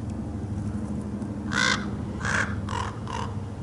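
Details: Large male common raven producing four short, rough, clacking calls in quick succession, the first two louder, against a faint low background hum.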